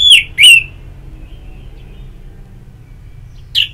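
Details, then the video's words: Orange-headed thrush in ngeplong therapy audio meant to stimulate singing: two short, bright whistled phrases sliding downward at the start, then another brief whistled burst near the end, with quiet low hum between. "Pagi Siang Sore Terapi Ngeplong Untuk ANIS MERAH Malam ya Tidur Merangsang untuk Bunyi"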